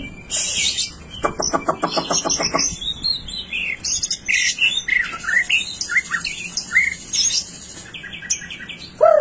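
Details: Continuous 'nembak' song of a rare piebald (blorok) white-rumped shama: a fast ladder of repeated clicking notes, then a varied run of whistled slurs, buzzy chirps and high twitters, ending on a loud falling whistle.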